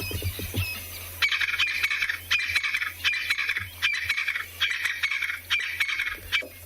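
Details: Crested Francolin pair duetting at sunset in Tswalu Kalahari Reserve, South Africa, on 21 August, calling after rain: loud, harsh rattling phrases repeated about once a second, two voices overlapping in a rhythmic chorus, with a low hum underneath.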